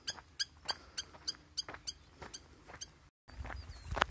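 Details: Spur-winged lapwing calling with clipped, high metallic notes repeated about three per second. A brief gap follows, then rustling and handling noise.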